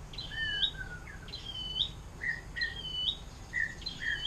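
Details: Atlantic canary performing 'air mancuran' song as a tutor for songbirds: quiet high clipped notes alternating with lower slurred whistles, repeated at irregular intervals against a faint hiss.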